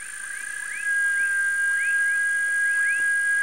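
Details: Brazilian teal (Amazonetta brasiliensis) giving quick, rising whistled notes in a steady series over a constant high hum.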